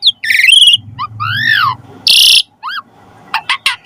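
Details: Asian pied starling song meant to coax other starlings into full singing: rising and falling slurred whistles, a burst of harsh noisy screech, then short sharp clicks, over a low rumbling undertone.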